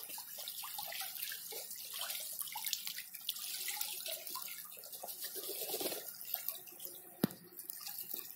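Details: Soft splashing and trickling water with a sharp click near the end, and no animal calls.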